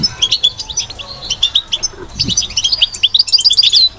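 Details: Caged European goldfinch twittering in batbata style, quick high metallic chirps in clusters, rising into a fast ringing trill at the close, with a soft low bump partway through.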